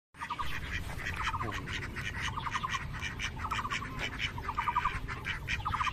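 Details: A flock of ducks quarrelling on an island in Cheng Kung Lake, giving harsh squawking calls and rapid stuttering quack series repeated every second or so, with constant background rumble.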